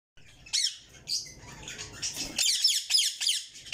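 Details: Yellow ringneck parakeet chicks kept in a cage, giving rapid series of high, scratchy chirps and squeaks in repeated bursts, fairly continuous after a quieter start.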